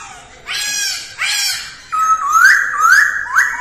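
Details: Masked laughingthrush in early-morning voice training: two harsh, noisy rasping bursts, then a series of clear rising whistled notes, each sliding upward, repeated about twice per second.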